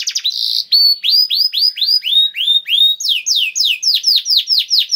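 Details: Singing canary, a lure to get canaries singing: a brief buzzy roll, then evenly spaced slurred whistles in a slow series, shifting to faster, higher swooping notes near the end.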